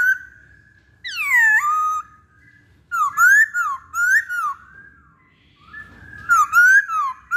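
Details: Masked laughingthrush, called poksay Hongkong, pancingan recording: one long downward-swooping whistle, then a series of bright rising-falling whistled notes in short phrases, separated by quiet gaps.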